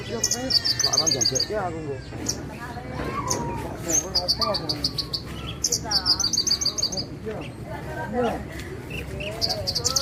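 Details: Javan bushlark (branjangan, Parva type) singing: bursts of high, rapid, buzzy trilled notes repeated every one to two seconds, over a busy backdrop of lower chirps, whistles and other calls.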